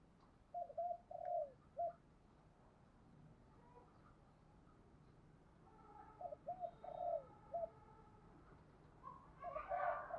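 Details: Caged decoy spotted dove cooing to attract wild doves, giving two bursts of low, rolling coos, each a quick cluster of three or four hollow notes, with a faint rooster-like crow at the end.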